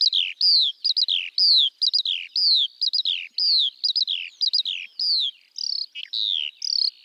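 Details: Skylark in spring song flight, the male rising high above fields. A rapid flow of downslurred high whistles and clipped trills repeats about once a second, bright and continuous.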